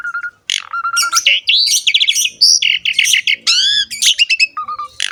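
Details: Gacor song of an Asian pied starling (jalak suren), played as training song for young or lazy singers: dense medley of harsh rasps, rising and falling whistled notes and short level whistles, nearly continuous over five seconds.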